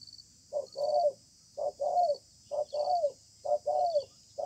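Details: Persistent wild spotted dove calling during a contest beneath a communal house, singing the spaced 'bài thưa' style: paired low coos, a clipped note then a longer, slightly falling one, about once a second. A steady insect hum and brief high whistles sound behind.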